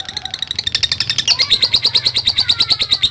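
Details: Lovebird giving a long, rapid 'ngekek' chatter used to provoke fighter lovebirds: fast, steady train of sharp high ticking notes, several per second, running without pause and brightening halfway through.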